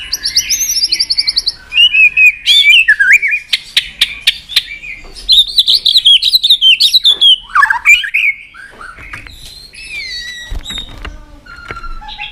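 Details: Contest-style song of a white-rumped shama, played to fire up another shama into singing: rich warbling, rapidly varied whistles and chattering notes, with sweeping slurs and some clicks between phrases.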